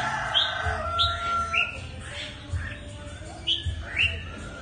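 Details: Mutant red-whiskered bulbul song of quick upswept whistles and short slurred notes, given in loose bursts with brief gaps, over a constant low-pitched hum.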